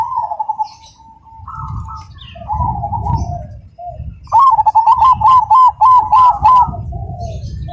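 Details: Soft wavering coos of several zebra doves, then one Cemani bird breaks into a loud, rhythmic sequence of rapid, evenly spaced clipped notes, clear and ringing; low rumbling noise in the background.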